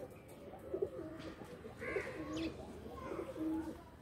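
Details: Cooing from pigeons playing inside a loft: soft, gurgling low phrases that end on a drawn-out note, repeated about every second and a half, with a faint higher chirp between.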